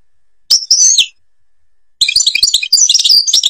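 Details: Goldfinch song from the Babors forest in Algeria: a short high warbled phrase, a pause of about a second, then a busy run of twittering, tinkling notes.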